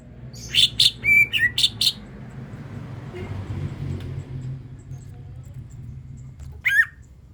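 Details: Greater green leafbird song used as a lure to prompt other birds to sing: a quick run of loud, sharp whistled and chirping notes in the first two seconds, then a lone rising chirp near the end, over a low steady hum.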